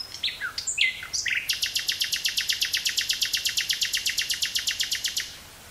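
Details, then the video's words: Nightingale in woods near Burgh-Haamstede, Netherlands, 18 May 1983, recorded on a Sony TCD-5M cassette recorder: a few varied notes, then a long, very fast, even trill of some thirty-five loud repeated notes lasting about four seconds. "Nightingale singing near Burgh-Haamstede, NL"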